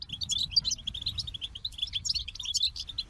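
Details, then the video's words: Brief burst of goldfinch song, bright liquid twitters and quick buzzy chirps tumbling together in a lively, high-pitched stream. "The Captivating Call of Goldfinches"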